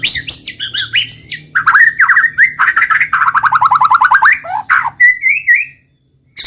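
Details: White-rumped shama in 'roll tembak' song, pouring out varied whistled notes, then a long fast series of rising chips before a drawn-out wavering whistle; a faint low hum sits beneath.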